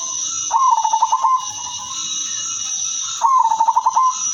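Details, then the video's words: Melodious song of a silver female zebra dove, used to draw in other zebra doves: two quick bursts of staccato, bubbling coos about three seconds apart, with a constant high-pitched hiss behind. "perkutut/merbok betina silver suara merdu paling cocok jadi pancingan semua jenis perkutut"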